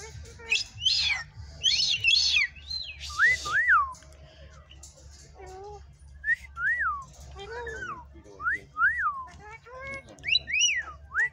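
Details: A pair of cockatoos at a wildlife refuge give bright, rising-and-falling whistles about once a second, mixed with harsh bursts and mimicked speech-like chatter.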